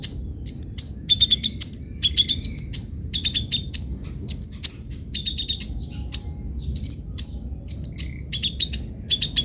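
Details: Energetic sunbird singing with full varied fills, offered as lure and tutor material; dense, almost continuous run of high chirps, rising whistles and rapid clicky bursts, faint steady high tone behind.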